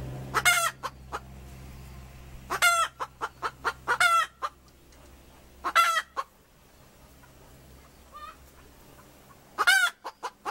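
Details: Hen cackling in clusters of harsh squawks followed by short clucks, repeated four times with quiet pauses, then one final squawk near the end.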